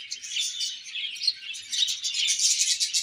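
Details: Crowded budgie colony giving rapid high chirps, a steady bright twitter of many overlapping voices.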